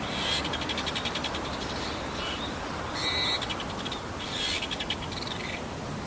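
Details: A male Bull-headed Shrike, recorded 28 March 2015, mimics other birds, possibly sparrows and Oriental greenfinches: high thin whistles, scratchy chatters and quick buzzy rattles in short bursts, mixed with typical shrike calls, over steady hiss.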